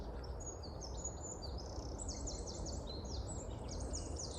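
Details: A Eurasian wren gives a loud, rapid, high-pitched song of fast trills and sharp notes run together for several seconds over a low rumble of wind. It was recorded on a cloudy morning in British local woodland as spring and the breeding season approach.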